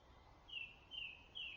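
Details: Dawn chorus birdsong recorded at Kilmacud Carmel, Dublin, on the morning of 24 April 2014: three clear, high, slightly descending whistled notes repeated about every half second above a soft low rumble.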